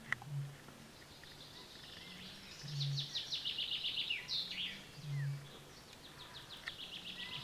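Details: Deep, hollow booms of a Eurasian bittern about every two and a half seconds beneath bright, busy songbird trills and chirps, at sunrise in summer 2014 on a Finnish lake.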